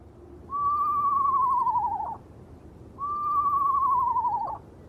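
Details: An eastern screech owl perched on a tent by a river on a moonlit night gives two long, even, wavering trilled notes of about a second and a half each, sagging slightly and dropping at the end, calling repeatedly.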